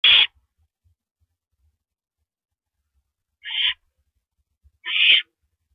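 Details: Owl at its nest at night on 9 April 2012 around 7:58 PM, during the first mouse delivery of the night; a harsh hiss opens the clip, then two shorter hissing bursts come after a pause, with faint low knocks between them.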